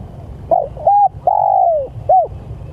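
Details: Spotted dove calling to its companions: a soft low coo phrase of short hooted notes and one longer drawn-out note falling at its end, then a final short coo, over a faint low background rumble.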